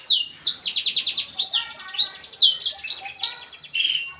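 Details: A black-throated canary sings a fast, bright run of high whistles, trills and downslurred notes, with quick rattling phrases and no pauses.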